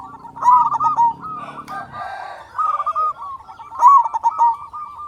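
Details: Zebra dove, a loud local bird, voices the lure song meant to stir quiet doves into calling. Repeated rolling coo phrases of quick stuttered notes, with a low humming noise under the first two seconds.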